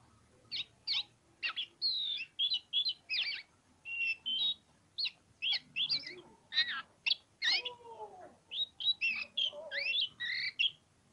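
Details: Energetic ngobra song from a pociku oriental magpie-robin, dense sequence of sharp chips, whistled slurs and descending notes, rhythmic bursts continuing steadily across the whole stretch.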